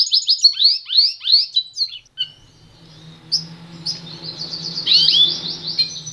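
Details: Pintagol, a canary and goldfinch hybrid, gives a run of fast high chirps, falls silent while a low hum continues, then returns with a short burst of twittering.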